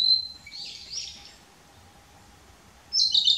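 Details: Narcissus flycatcher singing on a dead branch, 6 May 2016, visiting several song posts, captured on a Nikon P900; a short high whistle and a blurred warble, a pause, then a fresh shrill phrase at the end.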